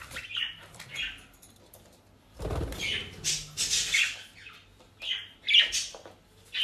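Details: Kept budgerigars in The Hague, Netherlands, feeding on shop-bought dry leaves and grass. Short raspy chirps come in scattered bursts, mixed with one loud thump and some rustling.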